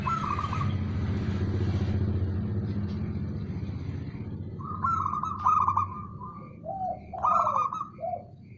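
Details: Male zebra dove (local perkutut) calling. After several seconds of loud low rumbling noise, rolling trilled notes and lower descending coos follow, along with faint high pips.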